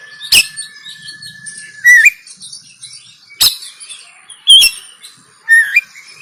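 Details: Oriental magpie-robin in 'kacer konslet' fighting mode, Banten, captured on an Android phone: a long flat whistle ends in a twisting note, followed by sparse sharp cracks and short up-slurred whistles every second or so.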